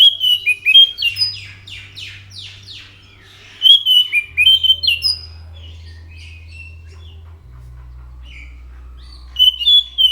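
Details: Anis macan, given as orange-headed thrush, singing vigorously: bursts of rich, varied whistled phrases with rapid buzzy sweeps and slurred notes, broken by a quiet pause, then a short whistled burst near the end over a low steady hum.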